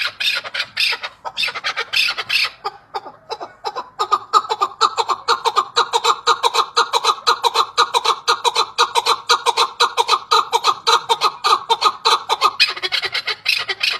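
A chukar partridge gives a rapid, harsh clucking series, about two notes a second, building into a steady rhythmic chatter through the whole clip.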